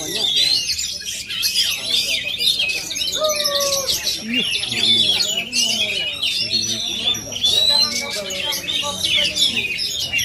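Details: Aceh-origin oriental magpie-robin giving a busy, high-pitched medley of clear whistles, quick slurred notes and chattering chirps, with a few lower whistled phrases, while people talk continuously in the background.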